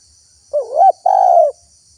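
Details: Spotted dove phrase from a wild-bird lure recording: a wobbling rising coo breaking into a short peak, then a sustained, slightly descending mellow coo of about half a second. A shrill, unbroken insect hum fills the background.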